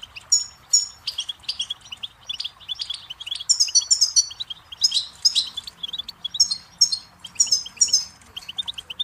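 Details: Goldfinch song for tutoring chicks and songbirds, a sustained stream of high, twittering, bell-like notes in varied phrases with brief pauses between bursts.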